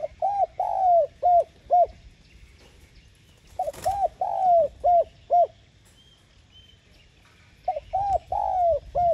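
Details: Spotted dove calling to lure wild doves, repeating its cooing phrase three times about every four seconds. Each phrase has short lead-in notes, a long falling coo and two or three clipped endings, with a brief rustle between.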